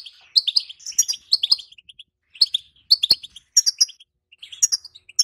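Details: A female European goldfinch gives calls meant to excite silent males and ready them for breeding. Sharp, high tweeting notes come in clustered bursts with brief silent gaps, clean and free of background noise.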